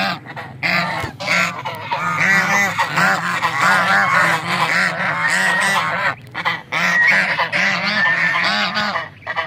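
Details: Little ducks quacking while eating, in a dense, continuous, overlapping chorus of harsh, nasal, honking calls, with brief pauses near the middle and end.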